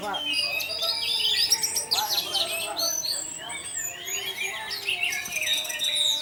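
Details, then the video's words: Energetic orange-headed thrush song for luring other thrushes into prolonged singing: nonstop jumbled high warbling, sharp chirps and sweeping trills filling the whole stretch. "Pancingan Burung Anis Merah Tarantula Anis Merah Teler untuk penggoda anis lain agar ikut teler"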